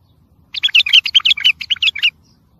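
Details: Bulbul singing, recorded for coaching and motivating young birds: a lively burst of roughly fifteen tight, twittering whistled notes over one and a half seconds, ending abruptly into near silence.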